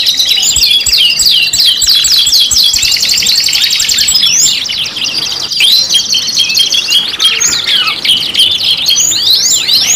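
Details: Singing canary used as a lure: rapid falling chirps and buzzy rolls, a short dip in volume midway, then continued high warbling and sweeping whistles.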